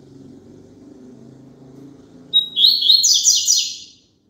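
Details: A double-collared seedeater sings, to get caged birds singing along: low murmuring background sound, then a whistled note leading into a quick series of high, buzzy, repeated trills.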